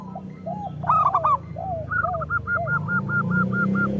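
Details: Zebra dove song meant to lure other local zebra doves: soft arched coos, a burst of quick stuttering notes, then a long even run of short repeated hoots. A low mechanical hum runs throughout.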